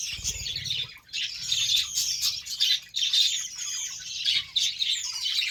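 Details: A budgerigar group given beetroot chatters in pulsing bursts of high, harsh warbling with occasional squawks.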